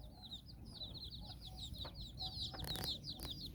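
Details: Nine chicks with their mother hen on an outdoor walk in Bizkaia, Basque Country: rapid overlapping high, downslurred peeps from many chicks, with a few soft low clucks and brief clatter.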